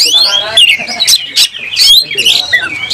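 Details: Oriental magpie-robin (kacer) in a fight with its tail open, pouring out emotional song. Loud descending whistles alternate with harsh, noisy bursts in quick succession.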